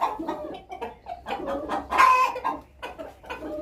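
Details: A hen making a strange sound before going to lay an egg: a run of low, nasal clucks rising into a louder, harsher squawk midway, then more broken clucking notes, with no other clear sounds.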